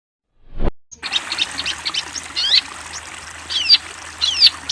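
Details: Long-tailed shrike training song for teaching young, speckled-plumage birds: after a sharp click and brief silence, a busy stream of high chirps and sweeping down-up whistled notes, quickening and irregular.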